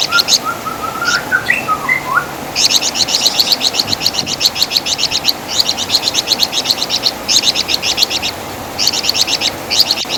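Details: Flamboyan bird, or Wergan Jawa, as master song for songbird training: a few lower whistled notes open, then long rapid trains of piercing high chirps in bursts lasting one to two seconds, separated by short pauses.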